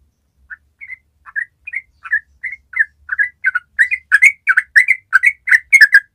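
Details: Yellow-vented bulbul in long ropel chatter, a lure for newly kept birds: soft scattered chirps that build into louder, faster, evenly repeated bubbly notes, about one and a half per second.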